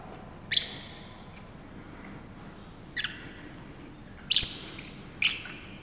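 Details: Zoo-kept Fischer's lovebird, recorded singing while dancing at Saarbrücker Zoo, 30 May 2018: four piercing, short squeaks separated by gaps of roughly one to two seconds.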